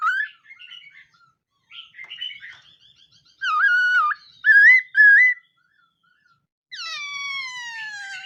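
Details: Khướu mun laughingthrush practising its song at dawn: scattered twitters, then three sustained wavering whistles, and finally a long, smoothly falling drawn-out whistle.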